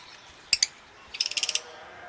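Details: Lovebirds kept on a farm, including albino, violet, blue masked and lutino Personata varieties: two sharp, shrill chirps, then a quick run of about six high, harsh chirps, over a quiet background hiss.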